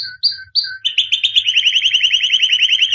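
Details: White albino champion canary of 2017 in song training: a few short rising chirps, then a fast, even rolling trill of bright repeated notes that runs steadily to the end.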